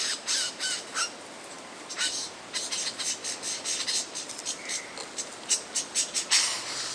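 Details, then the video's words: Lyrebird song built from copied sounds, for attracting mates and defending territory: fast, uneven volleys of dry clicks and rasps, broken by short gaps and one brief whistled note midway. "Bird Sounds From The Lyre Bird"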